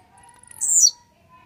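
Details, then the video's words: Blue-black grassquit described as warmed up and grumpy: one brief, piercing, buzzy song note falling steeply, set over a faint steady tone. "esquenta seu tiziu🔥tiziu rabugento"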